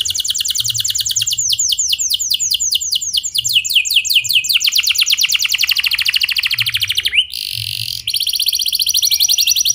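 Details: Canary delivering long clear rolling song, used to get other canaries singing: sustained trains of fast downward-slurred notes, one rising sweep and brief pause midway, then the trilling resumes.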